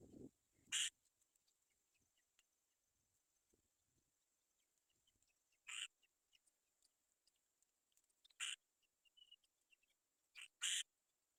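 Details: Waiting for their mother to return with food, black-winged kite young utter sparse, short, harsh screeches, five in all and irregularly spaced, over near silence with faint rustling.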